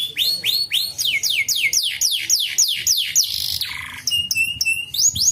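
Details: Canary song used to coax untrained canaries into song: about ten loud downslurred chirps in quick rhythm, a noisy rasp, a low rolling trill, then sharp high twittering notes.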